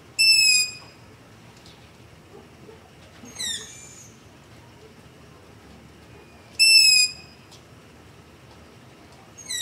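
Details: Long-eared owl giving begging calls at night near a house, captured with a ZOOM H5 and LOM Usi Pro microphone: short, high, harsh screeching calls with bright harmonic bands, repeated about every three seconds over a quiet background.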